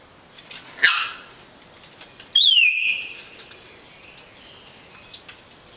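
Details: African grey parrots kept in an aviary in Greece, recorded 2 6 09: a short harsh note, then a clear descending whistled call with overtones, plus faint wing flaps and soft background noise.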